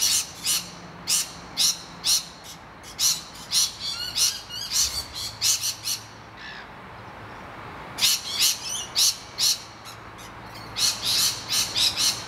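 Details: Nesting rainbow lorikeets screeching at intruding noisy miners: a long series of sharp, rasping shrieks at about two per second, a quieter pause near the middle with softer chattering, then another fast volley.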